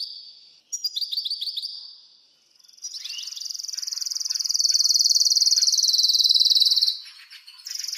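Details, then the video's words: Male canary in excited breeding-season song sings high, fast rolling trills and repeated chirps, ending in a long, even buzzing trill held for about four seconds. "تغريد هيجان لتحفيز ذكر الكناري لتزاوج ولجعله يغرد"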